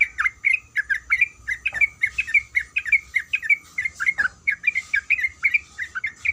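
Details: Breeding female sooty-headed bulbul calls the male with a nonstop chain of short, lilting chirps, rising and dipping, broken by two brief lower swooping notes, with a thin electrical whine behind.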